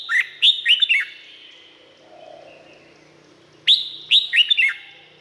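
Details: Bubbly, warbling song of a Red-whiskered bulbul in Thailand. It comes as two fast phrases of four or five liquid notes, separated by a few seconds of fading reverberation.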